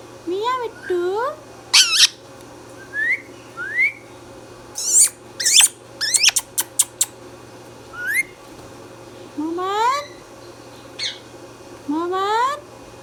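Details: A talking pet Indian ringneck parrot, green in colour, mixes wavering rising calls, upslurred whistles, loud rasping squawks and a rapid series of clicks. The sounds are spread irregularly, with a low constant hum behind.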